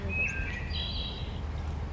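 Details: A Wood Thrush in Georgia during migration season, near dusk, sings a brief fluty phrase: clear descending notes, then a higher, shimmering metallic, robot-like trill, over a steady low rumble of background noise.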